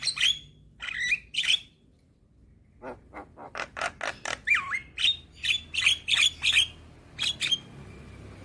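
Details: A young Javan myna, head bobbing, delivers loud harsh squawks, then a quickening series of short rasping notes that run together into a chattering phrase with whistled overtones.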